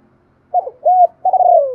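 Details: Spotted dove lure recording in the Thổ voice style, a calling coo used to attract wild doves. One clean phrase: two short hollow coos, then a longer drawn-out note that slides downward. No other sounds.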